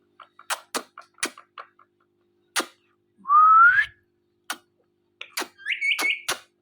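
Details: Male and female ringneck parrots making mating sounds in front of a mirror indoors: scattered sharp clicks and ticks, then one clear whistle sliding upward, followed by more clicks and a short wavering upturned note.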